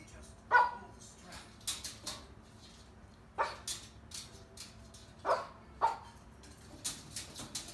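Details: A cockatoo imitating dog barks as she reacts to birds on a television nature show: several abrupt single barks, spaced unevenly, along with faint sounds from the programme.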